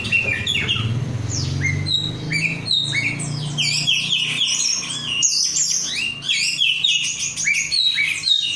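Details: Kacer, the oriental magpie-robin, a caged untrained 'rudal korea' bird in gacor song: varied upslurred whistles, rapid chips and harsh phrases packed closely together, a low humming noise behind.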